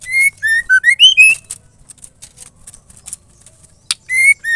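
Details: Female white-rumped shama song used to provoke males into singing: a quick series of pure whistled notes, dipping then rising to a high slurred note, followed by soft rustling and clicks, then the same whistled phrase starting again.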